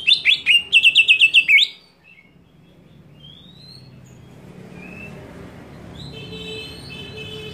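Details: Greater green leafbird scream provoking rival leafbirds: a quick string of about a dozen sharp, high chattering notes lasting under two seconds, followed by quiet background with faint distant whistles.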